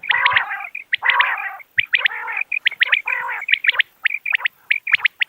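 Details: Common quail calling as a hunting lure: nasal rasping bursts followed by quick three-note sharp phrases, repeated briskly and clearly throughout, with no other sounds.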